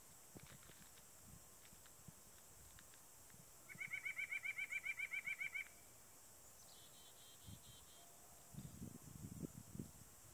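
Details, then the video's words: White-breasted nuthatch, a singing male in Wetaskiwin's By-the-Lake Park, Alberta: a rapid, even series of about thirteen nasal notes lasting nearly two seconds, then a fainter, higher short run, over quiet background rustles. "White-Breasted Nuthatch feeding and singing"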